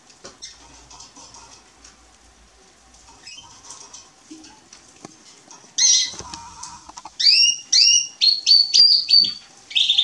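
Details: Male European serin singing, recorded 27 October 2020: after several quiet seconds of faint ticks and rustling, a burst of high, rapid, jingling twitters and short squeaky whistles begins near six seconds and continues in bright clustered phrases to the end.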